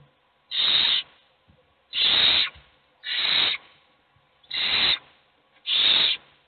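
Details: Owl nestlings in a nest box, all hungry while only one is fed, repeat five steady hissing begging screeches about a second apart, each harsh and breathy, with quiet gaps.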